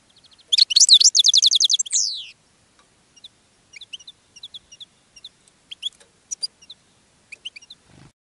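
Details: European goldfinch singing in a cage and attracting other goldfinches; a loud, fast trilling twitter with a descending buzzy slur opens, followed by scattered soft high chirps, some in quick pairs, spaced about half a second apart.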